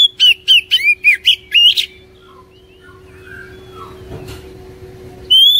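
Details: Song of an Oriental magpie-robin, meant to spur a caged bird into singing: a quick burst of bright, slurred whistles, then quieter scattered chirps and a soft thump before a loud whistle returns at the end.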